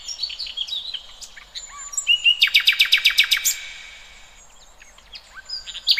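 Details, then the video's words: Several wild birds singing together: scattered high chirps and whistles, then a loud rapid rattle of about twelve pulses, then fading twitters. "Kicauan Burung"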